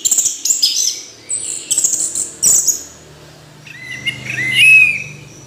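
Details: Orange-headed thrush: scratchy high chattering phrases, then a quieter stretch ending in smooth, lower whistled slides that swell in loudness.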